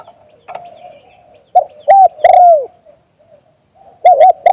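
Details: Spotted dove, a prized live-recorded bird, giving short, hollow, mellow coos. Two clipped notes are followed by a longer falling coo, then a softer pair later, with sharp clicks between the phrases.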